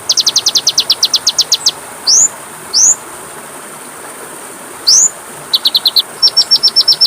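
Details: Song of the kacer (Oriental magpie-robin) used as a tutor for caged birds: a quick run of repeated sharp notes, then three separate upslurred whistles with pauses, and finally short clipped note series.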